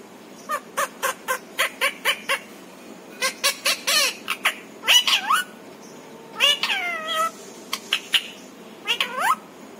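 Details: Pet parrot talking at home in India, chattering in a string of short high harmonic syllables and words with rising and falling inflections, in quick bursts separated by brief pauses, over a faint steady background hiss.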